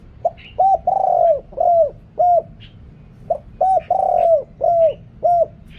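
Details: Spotted dove used as a caller for luring wild doves, recorded with noise removed. Two repeated phrases of hollow, downward-curving coos, each a quick pip, one long throaty coo and several shorter ones. Light background chirping is also heard.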